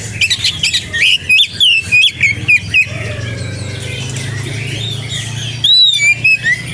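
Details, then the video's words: Oriental magpie-robin singing vigorously: rapid loud whistled phrases with sharp chips and slurred notes, then a quieter warbling passage, and a final burst of bright rising and falling whistles over a constant low hum. "BURUNG KACER GACOR dijamin kacer lain langsung nyaut"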